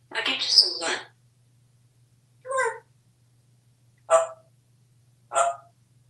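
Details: Pet parrot known as very talkative, indoors during a feeding session with treats; a longer rough, chattering utterance followed by three short clipped squawks spaced over several seconds, over a faint constant background hum.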